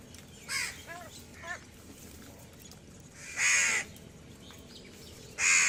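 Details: Feeding crows give a few short, softer calls, then two loud, harsh, rasping caws about two seconds apart, over a steady low outdoor hiss.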